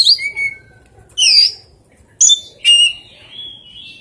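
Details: Strange oriental magpie-robin song with rare fill-ins, mixing short descending whistles with loud, harsh, squawky notes and a trailing thin whistle at the end.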